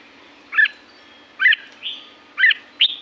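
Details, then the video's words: Red-whiskered bulbul, La-u forest, Thailand: brisk, abrupt chirped notes roughly once a second, mixed with a softer drawn-out whistle. "เสียงนกกรงหัวจุก จากป่าละอูแท้ๆ เสียงดี เสียงเพราะ จากธรรมชาติ"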